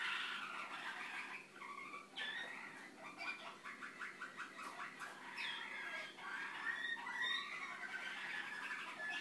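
A Malinois canary sings a steady run of rolling, bubbling trills in the middle register, changing tour every second or two, with no other sounds.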